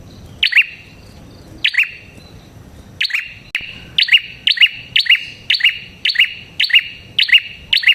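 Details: Prenjak kepala merah prinia lure sound for drawing in prinias: loud, high, metallic double chirps, sparse at first, then a fast steady run of nearly identical notes roughly every half second.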